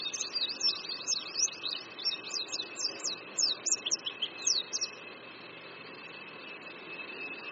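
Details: Oriental white-eye singing by a creek at Qingdao University in Qingdao, Shandong, China, in spring: a fast jumble of high twittering notes for about five seconds, then fading to a steady background hum.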